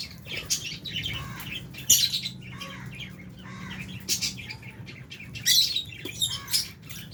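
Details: Albino and Fisher's lovebirds feeding in an aviary shared with budgies; a busy stream of short, scratchy high chirps and squeaks overlapping from several birds, with a low background hum.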